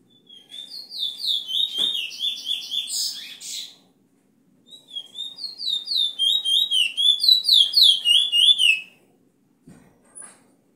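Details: Bullfinch song kept as a teacher recording for young birds: two bursts of clear, downslurred whistled notes with harmonics, repeated rapidly and evenly about three or four per second, separated by a pause, ending with a faint click.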